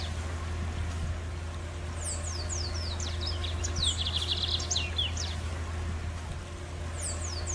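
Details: Lined seedeater singing in the wild, its song somewhat different from typical ones: sharp descending high whistles and a buzzy trill, with another phrase starting near the end, all over a droning low hum.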